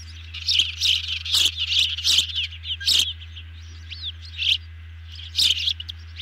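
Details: Ospreys at a camera-watched nest during a big evening feed on 18 June 2020, two birds fed by a third; loud, sharp, high whistled chirps come in quick bursts with short pauses between them, plus a low steady hum underneath.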